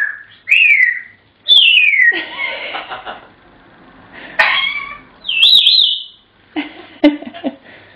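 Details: African grey parrot whistling the tune Pop Goes the Weasel: a series of loud whistled phrases that rise and fall, mixed with harsher, raspy squeaks and a quick wavering trill near the end.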